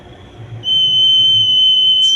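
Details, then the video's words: Common iora singing: a single long, steady, pure whistle held at one even high pitch for about one and a half seconds, over faint low background rumble. "BURUNG CIPAU BERAKSI"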